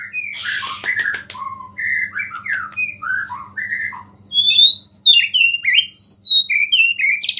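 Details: White-rumped shama singing borrowed small-bird phrases to stir up other shamas: clipped downslurred whistles repeated at a steady pace, then louder high sharp chirps and rising squeals, over a continuous high-pitched buzzing drone.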